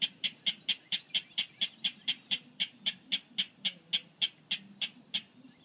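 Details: A rail on Skidaway Island, judged by ear to be a King Rail though it looked like a drab Atlantic Clapper Rail, gives a long, steady series of dry, sharp kek notes, about four per second, over a faint low hum.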